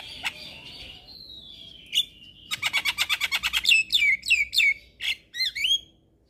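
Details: Javan myna singing energetically with a full repertoire, meant to provoke other mynas into singing; a long falling whistle, then a fast run of about ten sharp clicking notes and a series of slurred, squeaky whistles.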